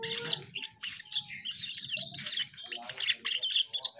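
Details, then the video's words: Asian pied starling producing a dense run of high, piercing squeaks and tinkling chirps in repeated bursts, with a short steady tone at the start. "Burung cucak Keling Gacor"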